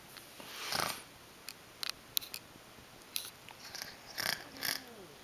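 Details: A male pet African Grey parrot makes a snoring sound indoors. A longer rasping exhale is followed by several sharp clicks and short hissy breaths, with a faint falling whistle near the end.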